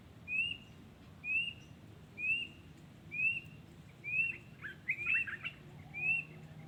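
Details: A wild yellow-vented bulbul gives a steady run of seven upslurred whistles, nearly one per second, broken near the end by a brief burst of chattering notes, over a low hum.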